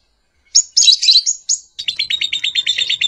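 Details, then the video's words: Lovebird calling in short shrill squeaky notes, then a fast run of clipped, evenly repeated high chirps that continues to the end. "Lovebird Calling Sound"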